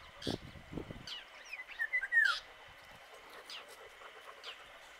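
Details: Indian golden oriole (Oriolus kundoo) calling: a brief run of fluty, slurred whistles, arching and falling, after a few low knocks, with faint chips and a steady insect hum behind.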